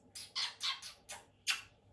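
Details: Pet male quaker parrot, sixteen years old, perched on his owner's shoulder after being asked for kisses, gives five short harsh squawks in under two seconds, bright and raspy, with a quiet room behind.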